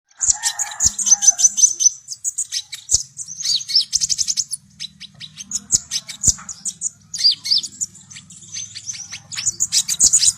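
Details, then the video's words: Javan white-eye singing, recorded as a lure to push young birds to start singing quickly: rapid high chirps, trills and buzzy notes in dense bursts, with a faint low hum underneath. "SUARA BURUNG KONIN GACOR COCOK UNTUK PANCINGAN KONIN BAHAN AGAR CEPAT NGEROL"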